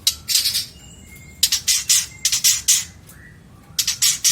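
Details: Long-tailed shrike in 2022, a song-material recording for training other songbirds: clusters of harsh, raspy scolding bursts in groups of three or four, separated by pauses with faint thin whistles between them.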